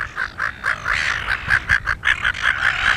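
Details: Silver Gull pair mating on Penguin Island near Rockingham: a run of short, nasal, squawking notes at a quickening pace, over a low rumble of wind.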